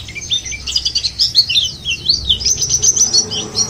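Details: Brief rush of high, thin white-eye twittering played as a lure for singing birds, the notes rapid, squeaky and looping up and down throughout.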